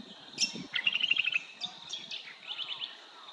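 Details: At Dundathu, Queensland, a Brown honeyeater gives bright, high chirps, then a quick run of sharp, even notes and a few clear whistled phrases, over a soft low background rumble.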